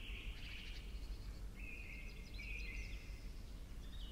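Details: A tree pipit, newly returned to its breeding grounds, sings fast, even trills dropping slightly in pitch from phrase to phrase over a low rumble. Recorded in stereo in the early morning at Sandemar Reserve, Sweden, with other species present.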